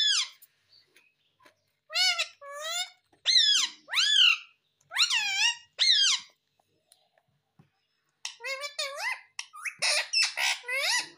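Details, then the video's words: A pet talking parrot keeps up a long series of loud, piercing calls, each swooping up and down, in bursts with short pauses, quickening into rapid chattering toward the end. "Talking Parrot"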